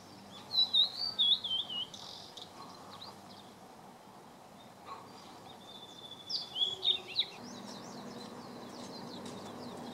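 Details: Blue-and-white flycatcher recorded on 30 May 2014, giving clear whistled phrases that warble up and down, first around the opening seconds then again near the seventh second, over steady low background noise.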